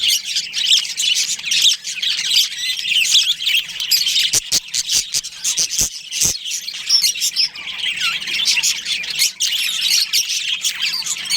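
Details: Budgerigars in a colony with a breeding pair, a dense, continuous chatter of high chirps and warbles from many birds, with sharp clicking knocks around the middle.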